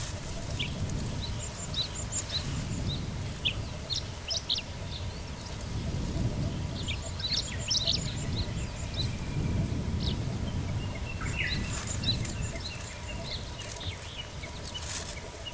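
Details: Chestnut-eared bunting perched on a dead tree, 15 June 2024, calling with short, high chips and brief twittering phrases scattered through the clip, over a steady low rumble of wind.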